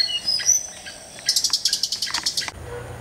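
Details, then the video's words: Tickell's blue flycatcher in the wild in Sri Lanka sings a few thin, high whistles, then a quick run of about ten sharp, bright notes over one second. "blue flycatcher"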